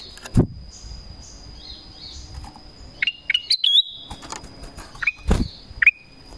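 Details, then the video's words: Black-crested bulbul call used to lure wild birds of its kind: two bursts of short rising whistled notes, the first a quick run of four or five, the second a pair, with background thumps. "SUARA PANGGILAN KUTILANG EMAS"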